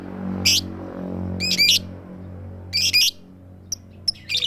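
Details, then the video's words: Female lovebird calling to the male in a "tik tik keyok" style without chatter. Doubled harsh squawks are separated by pauses, then come a few faint ticks over a steady low hum. "full power suara tik tik keyok Lovebird betina memanggil jantan tanpa ngekek"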